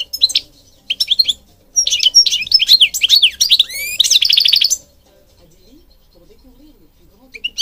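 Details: European goldfinch delivering several phrases of quick chirps and slurred whistles that build into a rapid trill, then fall quiet.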